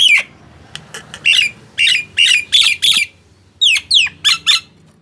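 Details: Nias hill myna calling to stimulate quiet mynas to sing: separate loud, nasal squawks with a ringing whistled edge, roughly two per second, some sliding downward, over a soft low background hum.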